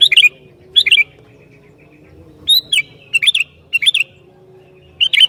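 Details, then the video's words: Singing sooty-headed bulbul, a bird said to provoke other bulbuls, delivering brief liquid phrases of falling and rising whistles, repeated in clusters with short gaps. "Burung Kutilang Gacor Ini Sangat JAGO Mancing Kutilang LAIN"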